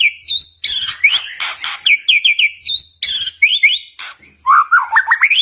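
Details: Energetic white-rumped shama singing meant to provoke rival shamas into replying. Looping whistles and quick triple rising notes mix with harsh buzzy bursts, closing with a fast ascending run of sharp whistled notes.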